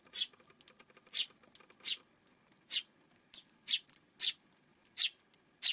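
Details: Eurasian tree sparrow heard on the afternoon of June 5: short, sharp chirps repeated about every half to one second, eight clear notes over a quiet background.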